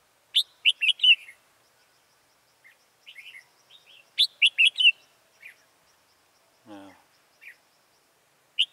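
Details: Red-whiskered bulbul decoy bird singing at a trap to lure wild birds, recorded 14 October 2018 in Vietnam: bright, chirpy phrases of quick notes in bursts every few seconds, with a brief low human voice in between.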